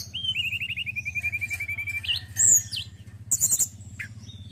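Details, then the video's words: Male forktail singing a long, even series of rapid descending chips, then sharp high whistles and a short burst of bright notes over a low hum. "TLEDEKAN GUNUNG JANTAN YANG BAGUS KICAUANNYA"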